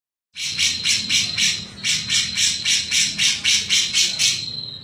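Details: Grey-cheeked bulbul (cucak jenggot) singing actively in the 'mbeset-mbeset' style: harsh, buzzy, broadband notes repeated about four times per second in a steady chattering run, over a constant high thin tone and a faint low hum.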